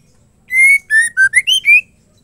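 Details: A female white-rumped shama sings to prompt males to sing: a phrase of six rich whistled notes, a long level opening, two lower notes, then a quick rise to higher clear whistles, with no other sounds.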